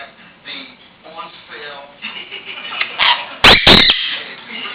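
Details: A Jenday conure mimics speech in a raspy, talking voice, saying a name and "kiss", then makes two sharp smacking kiss sounds with a brief whistle.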